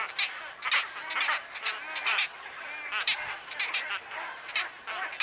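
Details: Several wood stork chicks begging at Wakodahatchee Wetland, Florida, producing bursts of raspy, nasal squeals in uneven pulses, loud peaks separated by short quieter gaps.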